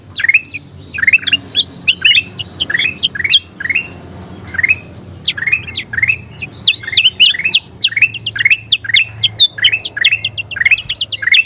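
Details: Lively kutilang emas bulbul song for teaching other birds to sing: quick bright chirps, many dropping then rising, tumbling in dense bursts with brief gaps, with faint high ticks over a low background hum.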